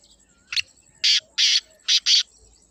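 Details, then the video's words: A Black francolin in Pakistan gives its harsh, rasping call: one short clipped note, then four loud grating notes in two quick pairs, over faint high hiss. "کالے تیتر کی آواز | Black Francolin Beautiful Call"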